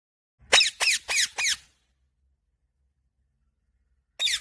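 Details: Indian ringneck parakeet, a green parrot, gives four sharp, high squawks in quick succession, then a pause of over two seconds before one more squawk, in an otherwise quiet setting.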